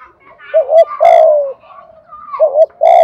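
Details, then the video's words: Spotted dove used as a decoy, thổ bầu voice style, cooing to prompt wild doves to coo and come in; two short rolling coos, each followed by a longer drawn-out falling coo, with faint higher tones between. "Chim Cu Mồi, cu gay kich boi nhanh noi gù, giúp bổi gáy nhanh và về cội"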